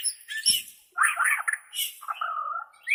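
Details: Bornean White-rumped shama, a recording for training captive birds: a harsh, scratchy chattering phrase with high hissing strokes, ending in a smoother whistled trill and a short rising note.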